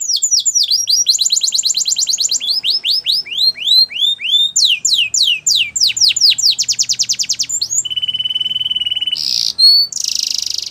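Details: Strong canary song used for training, long sequences of rapid trills and rolling sweeps changing tempo, then a flat whistled tone and harsh loud rattles at the end.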